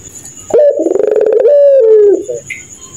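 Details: At night, a pelung ringneck dove gives a laughing coo: a rapid run of pulsed, rattling low notes merging into a long, smooth, gradually falling tone, then a short soft echo note.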